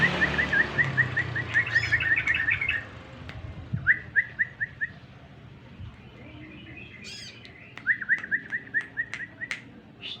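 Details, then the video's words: Yellow-vented bulbul song used to lure birds into answering: a fast chattering run of chirps, then two shorter series of bright, evenly spaced notes with quiet gaps between. "suara pancingan burung trucuk agar mau bunyi"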